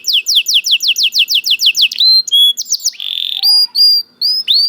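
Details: Canary song opening with a fast, even train of steep descending chirps, then shifting to sustained whistled notes, a buzzy rolled phrase and separate rising upslurred whistles.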